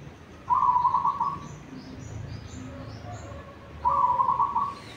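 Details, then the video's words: Zebra dove, a local Tuban bird, singing before dawn: two quick, rattling cooing phrases of clipped, rolled notes about three seconds apart, with faint higher bird chirps and soft lower tones in the background. "perkutut lokal tuban alarm tahajjud Jan 3 sudah manggung"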